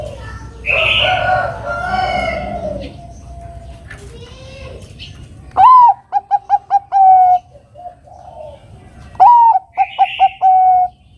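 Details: Zebra dove of the Bangkok strain singing to lure a rival into song: two phrases, each a rising whistled coo followed by quick short clipped notes and a longer drawn-out final coo; a rooster crows loudly beforehand.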